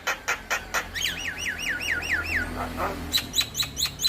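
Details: Javan myna lure and training song: a few sharp chirps, then a run of six rhythmic rising-falling whistled notes, followed by scattered bright clicks and chips, with a low steady hum underneath.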